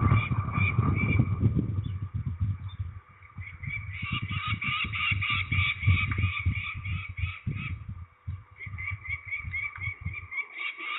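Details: Peregrine falcons during ringing at Trzebież, Poland, on 13 May 2019. Harsh, rasping calls repeated rapidly in long runs, over heavy low rumbling and handling noise.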